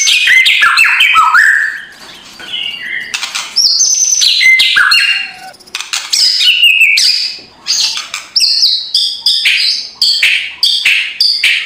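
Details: A white-rumped shama sings energetically to provoke a lazy bird in the morning. Rapid varied whistles, sharp upslurs and coarse crackling notes tumble out in dense runs with brief pauses.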